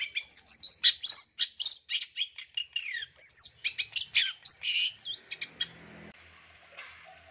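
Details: Long-tailed shrike song, used as a lure and training sound for birds: rapid, varied high chattering with whistled slurs and chirps for about five seconds, then fading to near silence with a faint low hum.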